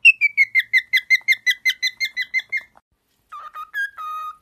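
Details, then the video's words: Pet cockatiel whistling: a rapid run of about fifteen short slurred notes falling slightly in pitch, then silence and a few lower, longer whistles ending in a steady held tone. "cockatiel bird singing and talking"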